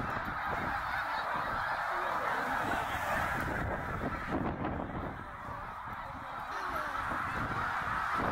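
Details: Huge flock of snow geese, tens of thousands strong, migrating north at Middle Creek in Pennsylvania in 2023; dense continuous honking chorus that dips slightly in loudness midway before swelling again.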